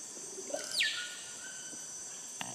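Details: A single Russet-backed oropendola call in Ecuador: a quick, liquid note that swoops steeply downward and trails off into a soft, lower tone, over a steady high insect hiss.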